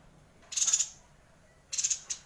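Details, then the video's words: Two short, high, sizzling trills from a Yuhina in full song (gacor ngerol), used as tutor material for white-rumped shamas. Each trill has about four quick pulses, and they are spaced over a second apart. "Suara Yuhina Gacor Ngerol panjang"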